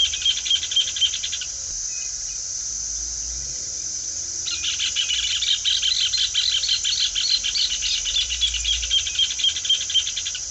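Rufous hornero: a short burst of fast, shrill repeated notes, a three-second pause, then a longer ringing chatter of rapid notes lasting about six seconds.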